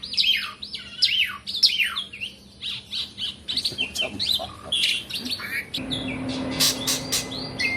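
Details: Asian pied starling, a kept bird, singing nonstop: a dense run of varied whistled notes, sweeping falls and buzzy chatter, with sharp clicks near the end.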